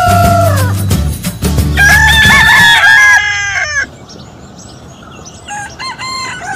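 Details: Rooster crowing in a compilation of different roosters: drawn-out harmonic crow phrases rising then falling, over a loud steady low hum and a background rumble.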